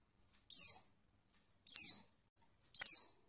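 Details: High, thin downslurred chirps from a female white-eye, meant to prompt reluctant males to sing, given three times about a second apart against silence.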